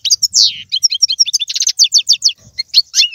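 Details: European goldfinch song for stimulating a pet goldfinch: a rapid, tinkling series of high chirps, a downslurred note near the start, and quick repeated twitters through the phrase.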